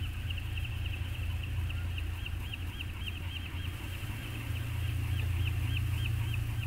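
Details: A returning peregrine falcon pair bonding at Anacapa, webcam, 14 August 2021: a long, rhythmic series of short, bouncing high chirps, several per second, over a continuous deep rumble.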